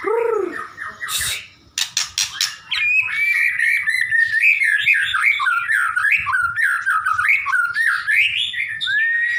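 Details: White-rumped shama singing actively, said to be seeking a companion: a few rising notes and sharp clicks, then a long, fast, unbroken run of varied warbled and whistled phrases with rapid pitch jumps.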